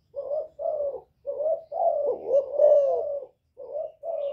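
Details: Spotted dove cooing in the Thổ voice style, a calling coo meant to provoke wild males: low hoarse coo notes in short bursts with brief pauses, the middle phrase longer and wavering.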